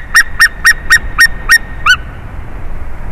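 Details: White-tailed eagle at a favourite tree during a changeover, 30 March 2019: seven loud, clipped yelps in quick succession, each a short bright bark, with the last note softer and drawn out before silence.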